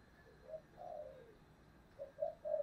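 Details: Spotted dove in the 'giọng thổ' voice style, used as a decoy: faint low coos, a short note then a longer falling one, then a rising run of three coos, over steady hiss.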